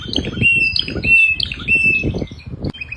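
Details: Canary singing: bright whistled notes and short trills, some held steady and some sliding, in quick bursts, over low thumping and rustling noises close by.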